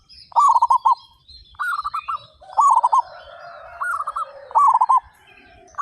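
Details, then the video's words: Local zebra doves, 35 birds singing keenly with strong voices: trilled, bouncing coo phrases repeated about every two seconds, alternating higher and lower singers, with a faint steady background hum. "PERKUTUT LOKAL GACOR SUARA BESAR"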